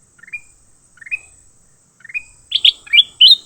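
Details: Leafbird during a fight repeats a short rising trill three times at roughly one-second intervals, then bursts into a louder, rapid series of harsh high chirps, with a faint steady hiss throughout.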